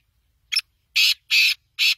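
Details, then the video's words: Black francolin calling: a short sharp note followed by three harsh, grating, buzzy notes in quick rhythm. "Kala Tetar Big Show beautiful voice"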